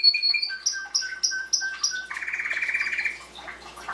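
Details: A Belgian canary singing a song used to train young canaries gives a series of clear whistled notes, three or four a second, then breaks into a fast, buzzy rolling trill.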